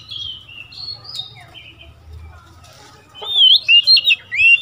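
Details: Oriental magpie-robin, a seven-month-old decoy bird moulting into young adult plumage for the first time, answering wild birds: soft twittering, then a loud burst of rich, looping whistled phrases near the end over a low hum.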